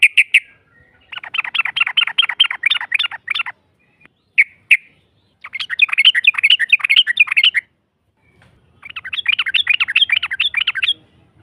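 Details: Yellow-vented bulbul giving a long rapid 'ropel' song used as a lure to provoke a rival into answering: three dense bursts of quick bubbling chattering notes, each lasting two to three seconds, separated by short pauses with a few single chirps.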